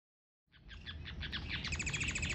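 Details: Society finch (Emprit Japan) in Indonesia during mating, singing a rapid series of short chirpy notes that build into a quicker, denser, repeated twitter, with low background rumble.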